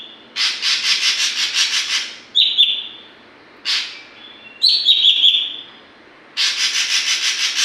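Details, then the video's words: A young saeran, or oriental magpie-robin, learning its song: alternating rhythmic harsh rasping runs with brief high steady whistles, one followed by a few stuttering higher notes, before the rasping returns. "Burung saeran abu gacor pastol belajar bongkar isian"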